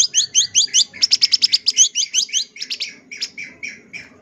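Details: Champion long-tailed shrike song with many fill-ins, used as tutor material: quick sequences of sweeping whistled notes, roughly two or three per second, fading toward lower, softer notes.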